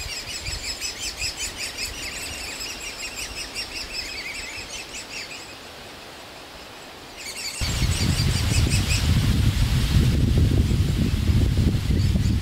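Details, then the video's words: Great spotted woodpecker nestlings in an old aspen cavity begging incessantly for food from their parents; fast high chirping repeats, pauses briefly, then resumes under heavy low wind rumble. "Spechte beim füttern !"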